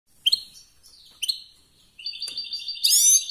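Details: European goldfinch in competition singing: a few sharp high chirps, then a sustained twittering trill that ends in a bright, dense burst of rising notes. No other sounds.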